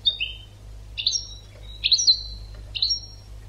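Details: European goldfinch training song: four short bursts of high, liquid twittering notes about a second apart, each with a downslurred tail, over a quiet low hum.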